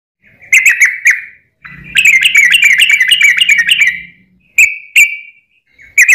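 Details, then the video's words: Yellow-vented bulbul in long rapid "ropel" song, used as a lure to set other birds singing: bubbly, chattering run of quick warbled notes lasting about two seconds, flanked by short separate chirps, with a faint low hum underneath. "trucukan gacor ROPEL PANJANG buat pancingan trucukan agar bunyi"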